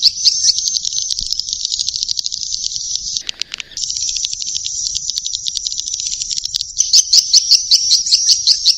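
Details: Young swiftlets produce a continuous high buzzing twitter of fast, regular pulses. A short lower rattle interrupts it, then the stream resumes with clearer, separate chirps at the end.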